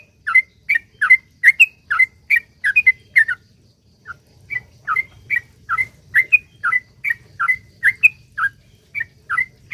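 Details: Yellow-vented bulbul in vigorous long rapid song meant to lure others into singing; fast runs of liquid two-tone whistles, a brief break, then a steady series of chirps over a low rumble.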